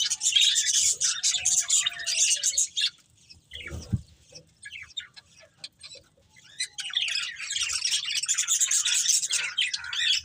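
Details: Budgerigars of a breeding pair and family start with dense, high twittering chatter, fall quiet apart from a soft thump and scattered clicks, then resume their scratchy chirping babble.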